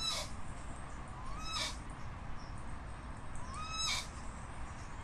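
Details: Crested guan: two arched, upslurred yelps, each preceded by a sharp rasping burst, spaced a couple of seconds apart over a low steady hum.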